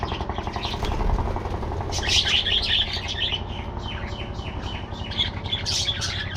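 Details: Budgie colony kept in an aviary, scattered chirps that burst into a busy, scratchy warble after two seconds, over a constant low drone.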